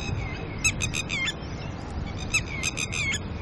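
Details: Early-morning alarm from a red-wattled lapwing pair guarding chicks and disturbed by a person: two quick bursts of shrill, staccato notes, each run of about four to five calls, over low background noise.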